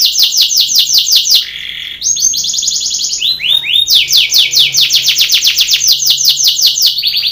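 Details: Belgian canary singing a contest training song: rapid high trills alternate with a lower steady tour and short whistled slides, then fast repeated sweeping notes resume until the end.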